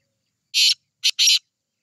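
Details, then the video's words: Harsh, scratchy call of a black francolin: a long rasping note, a short pause, then a quick clipped note leading straight into another drawn-out grating burst. "Teetar Ki Awaz Black Teetar Awaz Titar awaz"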